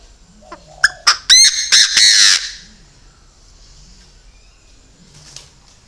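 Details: Decoy Chinese francolin calling: a loud burst of harsh, grating notes, rapid and uneven, lasting about a second and a half. Then quiet background with faint distant sounds.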